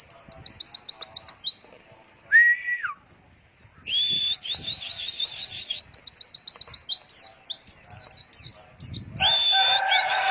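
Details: White-eye training song in the ngalas wit wit long-breath style, used to teach young birds: long runs of rapid high chirps repeated several times a second, broken by a lower slurred whistle and a harsh buzzy burst near the end.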